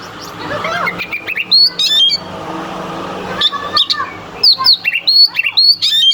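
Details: Oriental magpie-robin, a captive contest bird, in loud varied song used to provoke rival birds into singing: sharp whistled notes and rough, rapid chattering phrases in quick bursts with brief pauses, a low steady hum beneath.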